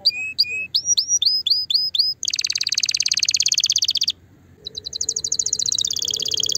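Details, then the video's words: Canary song meant to stimulate a female: sequence of upswept whistled notes, then a long fast buzzy trill, a short gap, and another rapid rolling trill. "Chant de CANARI pour STIMULER la FEMELLE"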